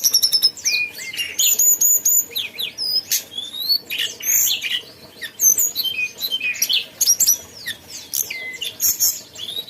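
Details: Long, lively song from a mountain tailorbird, packed with rapid high chirps, upslurred and downslurred whistles and sharp ticks pouring out almost continuously for nearly ten seconds.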